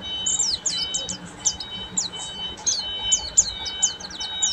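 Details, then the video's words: Oriental white-eye of the buxtomi type singing in full ngeriwik style: thin, high downslurred whistled notes tumbling in quick uneven bursts, over a faint steady electrical hum. "PLECI BUXTOMI FULL NGERIWIK"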